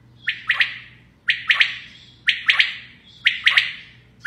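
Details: Female common quail (batair) calling: sharp three-note phrases, the first note set slightly apart from a quick close pair, repeated about once a second over a quiet background with a faint low hum.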